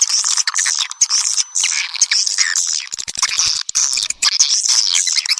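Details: Lure recording of swiftlet calls meant to draw swiftlets in: a shrill, buzzy stream of very high chattering chirps from many birds, nearly unbroken, with brief gaps and rapid clicking notes near the end.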